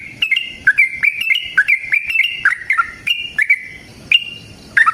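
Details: Lively song of a yellow-vented bulbul, a long-trilled fighting style played to make caged bulbuls sing back: a quick run of bright whistled notes dropping and rising, then slower separated chirps near the end.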